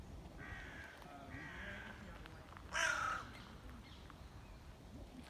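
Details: A grey heron, approached closely, gives one loud, harsh, croaking squawk about midway through, against steady outdoor hiss and faint murmuring.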